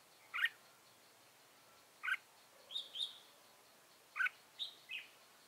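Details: Trapping decoy red-whiskered bulbul, 15 November 2017: brief sharp chirps and short two-note whistles repeated every one to two seconds over a steady background hiss.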